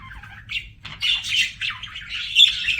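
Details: Budgerigar song from pet birds: short scratchy chirps run into a rapid warbling chatter with sliding squeaky notes, growing louder toward the end.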